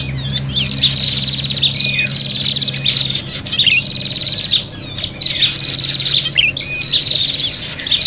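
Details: Fighting prinias calling noisily as lure sound: repeated phrases of a buzzy trill ending in sharp chips, roughly every second or two, with several voices overlapping over a low hum.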